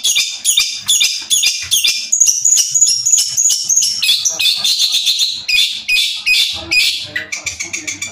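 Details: Young long-tailed shrike from Madura, Indonesia, delivering rapid, very high, sharp chattering bursts with a few thin sustained whistles, notes coming in quick irregular volleys, plus faint low background noise near the end.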